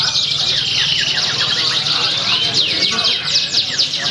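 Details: Contest canary singing at Pringsewu on 22 September 2019; sustained warbling trills followed by a burst of loud, looping down-slurred whistles near the end, with other birds and faint talk behind.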